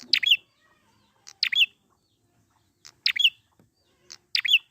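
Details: Prinia recorded in the wild, used as a lure to get birds singing again: short sharp chirping bursts, each a quick cluster of high notes, repeated about every one and a half seconds, with soft low knocks between.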